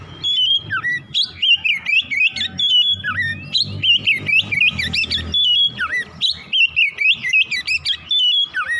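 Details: Oriental magpie-robin, morning lure song to spur rapid singing: a long, unbroken flow of clear whistles, sweeping slurs and fast flourishes, over a soft low rumble.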